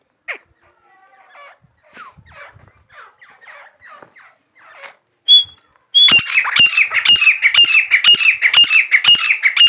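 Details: A pet grey francolin (desi teetar): soft scattered chirps give way to a loud, harsh run of squawking notes, repeated rapidly for the last few seconds.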